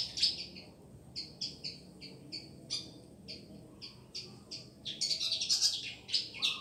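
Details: Song of a pied fantail from Madura: a steady string of high, sweet whistled notes, some paired, repeated roughly three times per second, ending in a louder, denser burst of sharp chirps.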